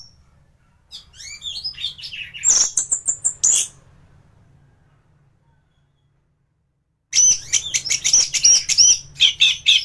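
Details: Thrush (anis) singing in full, lively song used as training material for other songbirds: bursts of varied high chirps and rapid trilled notes, a pause of about three seconds, then dense repeated sharp notes.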